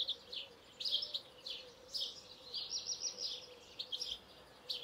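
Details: European goldfinch singing a lively, high-pitched twitter: clusters of buzzy, tinkling notes in quick bursts separated by short pauses, with a low steady hum behind.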